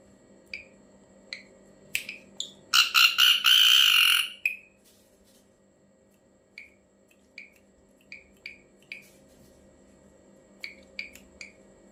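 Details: An ashy drongo's strange call: sparse short chip notes, one burst of loud grating rasps ending in a long buzz, then scattered chips again over a quiet background.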